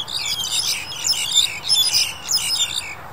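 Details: Black-collared Starling recorded in January 2021, giving a steady run of squeaky, chattering notes in quick bursts about twice a second, high-pitched and harsh, with no other clear sounds.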